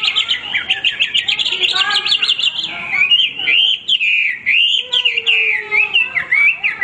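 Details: A Chinese hwamei, described as a male, sings non-stop: loud, rich whistled phrases with fast warbling trills and rising and falling slurs, following one after another without a pause.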